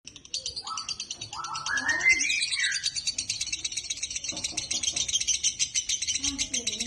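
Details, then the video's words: Male lovebird singing in the konslet style while being sunned. The song is a high, rapid, buzzy chatter of continuous trilled notes with a few rising whistles at the start. Low human voices talk in the background. "lovebvird konslet jantan proses penjemuran"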